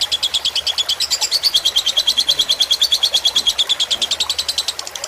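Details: Fighter lovebird on a tutor track intended for birds to copy: a rapid, even chatter of high metallic chirps. Several chirps per second, loudest midway, holds without pause.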